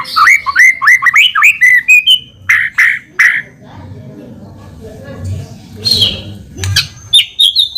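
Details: White-rumped shama singing vigorously, used as a lure to make other shamas respond quickly. Rich, varied whistled phrases rise and fall for about three seconds. A quieter low rumble follows, then a few sharp high notes near the end.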